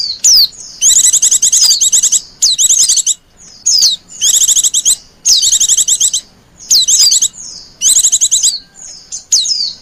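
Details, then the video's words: Oriental white-eye calling to lure wild birds: dense high chattering trills in bursts of about a second, interspersed with brief falling whistles and short gaps. "suara pikat burung pleci liar"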